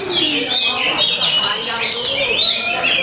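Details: Rival Oriental magpie-robins (kacer), the contest's first and second placers, singing against each other at a bird-singing training event. Rich whistled notes, repeated upward sweeps and rapid twittering run continuously over crowd murmur.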